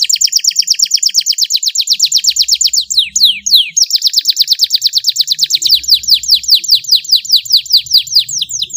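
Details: Canary singing a long training song in the fiery 'tembakan pedes' style with luxurious cengkok phrases: rapid high trills of clear descending notes repeated about every half second, changing pace midway, very loud and clean.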